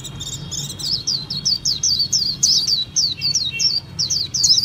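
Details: Japanese white-eye in continuous song, a steady stream of sharp, high, descending whistled notes at about three to four per second, with low background hum.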